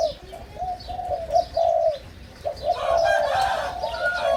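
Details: Spotted Dove crowing from a hybrid 'sai din' line, young birds just over five months old from the first clutch, newly excited and beginning to sing. Low rolling coo phrases come in uneven bursts, with a brief noisy rustle midway and distant twittering.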